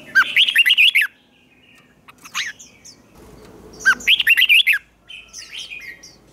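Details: Red-whiskered bulbul's competitive fighting song, used to train birds: two bright, rapid phrases of six or seven looping whistled notes about three seconds apart, with softer chirps between and a faint background hum.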